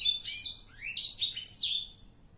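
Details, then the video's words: Black-throated canary, four months old, singing energetically: a short, dense string of sharp, high chirps and downward-slurred whistles. "blacksthroat umur 4 bln gaes udh gacorr abiss"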